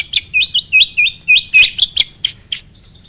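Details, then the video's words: Starling song used to provoke other birds into singing: a fast run of about eight upslurred chirping whistles, each roughly a quarter second apart, ending in a few sharp clicks and a faint thin whistle. "MASTERAN BURUNG JALAK AMPUH!!!"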